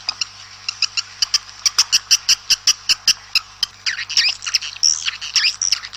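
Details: Swiftlets calling outside to gather the flock: a run of sharp dry clicks repeated several times a second, then a burst of high twittering chirps and squeaks near the end, with a low steady hum.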